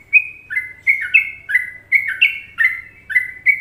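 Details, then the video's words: Sooty-headed bulbul (trucuk) singing an Indonesian Trucukan masteran: a rapid, jaunty series of clear whistled notes, often doubled, dipping and climbing in pitch at around three per second, with a clean, quiet background. "Masteran Trucuk Indonesia"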